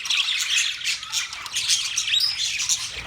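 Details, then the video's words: Budgies chattering nonstop: many high, buzzy chirps and warbled twitters overlap in a steady stream, with a few clearer rising whistles near the two-second mark. "Budgies chirping sound"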